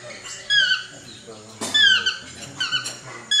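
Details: Chestnut-mandibled toucan giving four short, falling yelps in quick succession, each a nasal harmonic whine dropping in pitch, with soft low background hum between calls.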